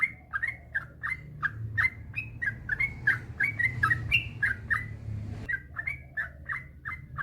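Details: Master recording of a yellow-vented bulbul meant to get idle bulbuls singing: a long, fast run of bubbly, liquid chirps about three per second, some notes rising to brighter whistles, over a low background rumble.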